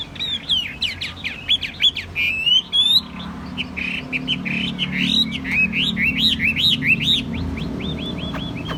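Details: Caged Chinese hwamei, a calm bird with a good voice, giving loud bursts of sharp whistles, then a series of repeated looping upswept phrases and a final run of quick descending notes, low rumble behind.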